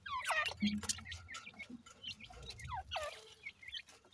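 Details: Young partridge chicks at morning feeding give repeated thin descending peeps, several in quick succession, over scratchy pecking and faint low rustling.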